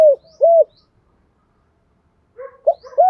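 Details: Spotted dove coos for fighting challenge and calling: two arched hoots, a pause of silence, then soft gurgles leading into another rounded coo.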